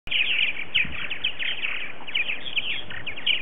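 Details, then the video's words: Purple martins at a busy colony on a February morning, early in the season with 60 to 70 adult birds present: dense overlapping chirps and gurgling chatter from many birds, with steady wind noise underneath. "2018 Early Season Purple Martin Social"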